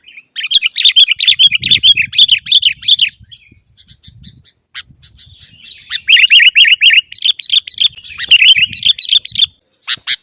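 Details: Sooty-headed bulbul song for training caged birds to sing, lively and noisy: dense runs of rapid chirping notes in fast bursts, pausing briefly midway, with faint low rustling beneath.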